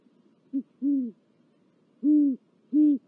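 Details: Great horned owl at a nest with four chicks and a mouse, Corona, California, 19 February 2023, gives four deep, soft hoots, one short and three longer, at irregular intervals over about three seconds, over a faint background hum.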